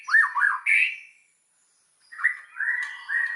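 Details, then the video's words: White-rumped shama song used as a lure to rouse other shamas into full song: two bursts of rich whistled and slurred phrases around mid pitch, separated by a second of silence. "SUARA BURUNG MURAI BATU, PANCINGAN MURAI BATU BANGKITKAN EMOSI, AGAR BONGKAR MATERI"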